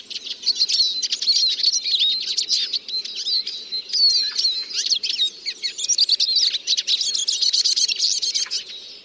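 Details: Rapid Eurasian siskin twitter, dense bursts of high squeaky chirps and buzzy notes running almost unbroken over nine seconds.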